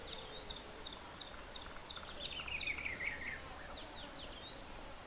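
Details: Brown-crowned tchagra (Tchagra australis) calls near a river in the Lowveld, Rietspruit Game Reserve, South Africa, at sunset in January: a descending series of clear whistled notes over about a second, with insect hiss and faint chirps.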